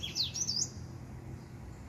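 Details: White tip finch male singing: one brief phrase of three or four high, sharp twittering notes sweeping up and down, then quiet with only a faint low hum in the background.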